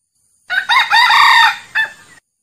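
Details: Real recording of a male red junglefowl, used as a call to attract wild birds: a single strident crow, broken into a stuttering opening, long sustained middle and a separate short tail note.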